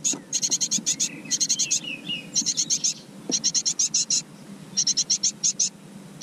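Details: Great tit chicks in a nest box in a garden: bursts of high, harsh, hissing-buzzy notes in rapid volleys of four to seven, pausing briefly between volleys, with faint low background rumble.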